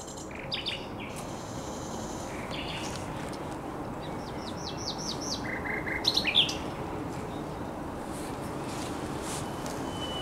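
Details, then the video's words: Common nightingale singing on a headland by the Żerań Canal on 1 May 2021: varied short phrases with quick repeated high notes, a brief series of lower flat notes, then a sharp burst near six seconds over steady background hum. "Śpiew słowika rdzawego"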